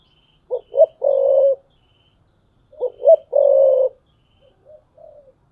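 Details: Decoy spotted dove on a perch, from 2022, giving the 'thúc bổi' cooing style: two phrases about three seconds apart, each two short hooting notes then a long, steady, throaty coo, with a soft trailing coo at the end in silence.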